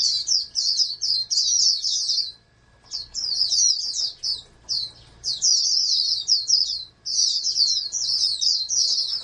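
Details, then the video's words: Oriental white-eye bred in captivity as a national contest candidate, pouring out high rapid twittering bursts, a clear silent gap near the start then long chattering runs, low hum beneath. "TERNAK BURUNG PLECI CALON JUARA NASIONAL"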